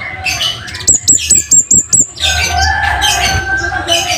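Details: Scarlet-headed flowerpecker used as a tutor bird for training songbirds, giving its loud, sharp wild-style voice: about six piercing high notes in quick succession, then harsher chattering calls and other bird sounds.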